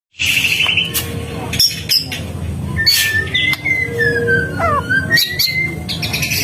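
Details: White-rumped shama singing in gacor style, the vigorous nonstop delivery: a buzzy high opening note, then sharp clicks and a long, smoothly gliding whistled phrase that falls and rises, with a steady low background hum.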